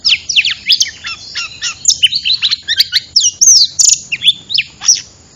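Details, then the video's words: Oriental magpie-robin used as a trapping lure: a dense, rapid series of loud whistled notes, sharp chirps and swooping slurs, tumbling over one another with barely a pause. "SUARA PIKAT BURUNG KACER"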